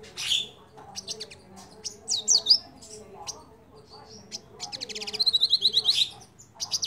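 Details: Crimson sunbird lure song to prompt other birds into singing: soft scattered chirps and twisting whistles, then a rapid rhythmic trill of high notes near the end.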